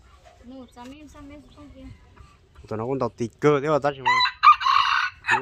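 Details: Red junglefowl rooster used as a decoy bird, from Laos; people talk first, then hoarse, broken crowing bursts come loud and rough near the end, in short harsh pulses over about a second.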